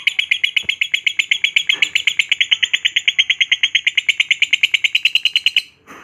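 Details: Pet lovebird in full, lively song, described as happy while being filmed: a rapid, steady run of sharp, high chirps, about seven per second, lasting over five seconds before stopping abruptly.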